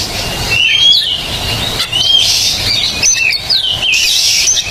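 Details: Oriental magpie-robin song used as a training recording: repeated rising whistles that curl over into short warbles, sung steadily over a hissy, humming background.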